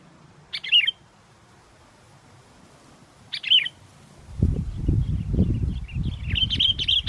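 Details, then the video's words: Sooty-headed bulbul, recorded while luring birds on a strong-wind day: two short, bright chirped phrases spaced about three seconds apart, then heavy gusting wind with a few faint notes over it. "pikat kutilang walaupun angin kencang tetap gacor"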